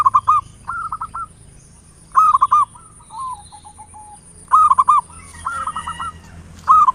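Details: Local zebra dove in the ngayer nulop style, meant as a lure to make doves sing: loud bubbling, stuttered coo phrases roughly every two seconds, alternating with softer rolling trills, over a thin constant high whine.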